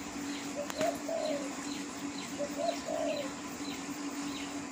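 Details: A wild spotted dove gives low, soft cooing phrases, two short notes and then a longer drawn coo, repeated twice, over a steady hum and faint high chirps from other birds.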